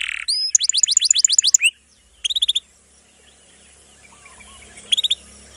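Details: Canary song used to train young canaries and birds that have gone silent: short bursts of fast descending whistled notes, first a run of eight, then a brief cluster, a pause with faint background hiss, and a last quick burst.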